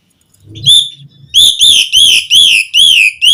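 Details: Asian pied starling gives a series of clear, high whistled notes that dip and rise, repeated about five times in quick succession after a soft low rumble at the start. The recording is used to prompt caged starlings to sing.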